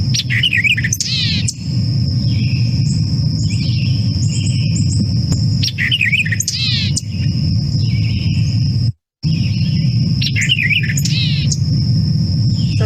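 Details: A White-eyed Vireo sings emphatic, nasal, jumbled phrases of quick slurred notes, a remixed variation on its "quick-with-the-beer-check" song, repeated about every five seconds. A steady high whine and a low rumble sit behind.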